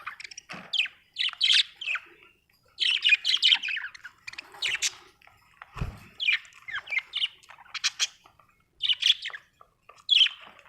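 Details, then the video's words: Budgerigar chattering almost continuously: rapid strings of squeaky chirps and warbled notes in bursts, with a single dull knock midway. "budgie chirping sound"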